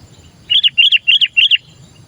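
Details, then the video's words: Sooty-headed bulbul calling as a lure for other bulbuls, four rapid paired phrases of bubbly, rolling chirps delivered evenly in just over a second, clear above a low background hum. "Suara Burung Kutilang Gacor Memanggil‼️masteran burung kutilang pikat"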